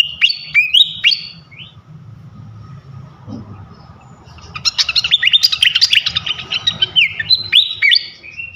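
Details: Flycatcher song used to provoke other flycatchers: it opens with several sharp rising whistles. After a quiet gap, a dense, rapid burst of high chirps and trills follows, ending with more sliding whistles.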